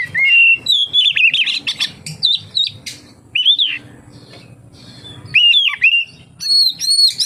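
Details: Oriental magpie-robin song played to lure other magpie-robins into singing: loud, varied whistled phrases, rising and falling slurs and sharp chirps in bursts with short pauses, over faint low rumbling.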